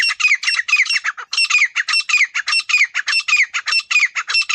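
Grey francolin giving a loud, harsh, rasping series of shrill notes, about four per second, in rapid rhythmic phrases with no other sounds.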